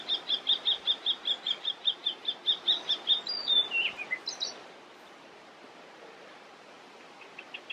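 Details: Icterine warbler singing beautifully in Västerbotten on 27 June 2021: a fast run of about twenty identical high chirps, then a quick jumble of squeaky, sliding and buzzy notes, before the bird falls silent over quiet background noise.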